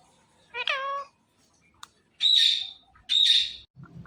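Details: Indian ringneck parrot said to talk everything: a short harmonic, voice-like syllable falling in pitch, then two loud, harsh, buzzy squawks about a second apart, in a quiet setting.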